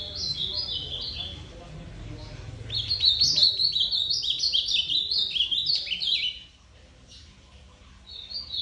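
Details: Ultramarine grosbeak singing two warbled phrases: a short string of descending whistles, then after a pause a longer, louder run of quick stepping notes, followed by quiet and a final short note.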